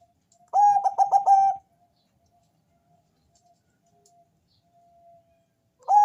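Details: Zebra dove of the Bangkok type with a thick bass voice, singing to prompt other doves to call. A burst of four or five rapid pulsed coos is followed by near silence, then a new burst begins.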